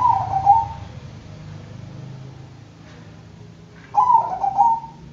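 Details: Bangkok-type zebra dove singing two soft, rolling coo phrases, each under a second long, separated by about three seconds. A constant low hum runs underneath.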